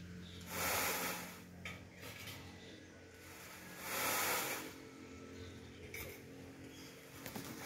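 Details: Indian peafowl courtship dance at Pueblo Nuevo Viñas, Guatemala: two loud, hissing rustles about three seconds apart, like shaken feathers during the display, over a low background hum.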